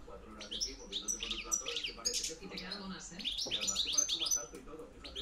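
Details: European goldfinch in 'reclamo campero' style, 2013–2014: quick, liquid, chattering twitters rising and falling in a lively stream, with music faintly beneath.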